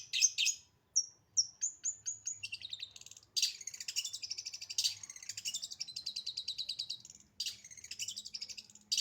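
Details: Long-tailed shrike in lively, fast, tight 'full isian' song: a few sharp chips and a clear whistle lead into long, dense runs of rapid high twittering and buzzy trills that continue almost without a break.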